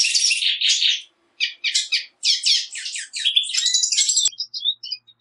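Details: Black siskin song in quick bursts of scratchy, high twittering, each a second or less, tapering into a few thin isolated chirps at the close.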